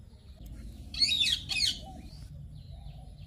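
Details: Yellow ringneck parrot giving two harsh, grating squawks in quick succession, the first longer and falling slightly, the second shorter, over a steady low rumbling background.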